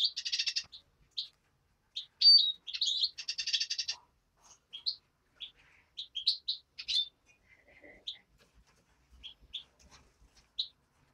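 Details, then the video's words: Hand-reared European greenfinch chick producing rapid, rattling buzzy chirp runs early on, then scattered single high tweets spaced through a quiet room. "Зеленушка. Ручной птенец"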